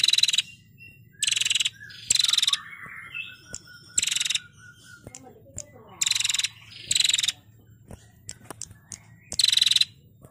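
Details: Female prinia singing ngetirr, a training recording for songbirds; short, harsh, rasping trill bursts come roughly every second, and faint warbled notes and a low steady hum fill the gaps.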